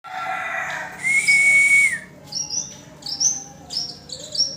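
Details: Tame yellow-bellied warbler singing busily: a long steady whistle with a hissy overtone, then a run of short, very high, thin chirps at irregular spacing.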